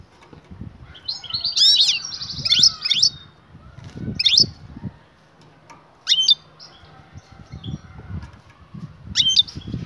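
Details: Female European goldfinch calling a male to mate, with a burst of bright twittering and rattled trills at the start, then scattered sharp sweeping call notes separated by quieter gaps, low rustling and thumps throughout.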